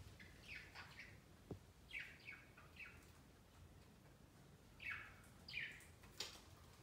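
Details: Pet budgerigars on their first Christmas Day, flocking on a large Christmas tree set beside their cage; a series of short, harsh, descending chirps and chattering notes in irregular bursts, with one sharp click.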